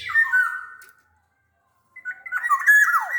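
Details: Black-naped oriole of the Sumbawa type, a big-bodied bird, whistling a mellow phrase, then after a second of silence a second, more warbling phrase ending in a falling slur.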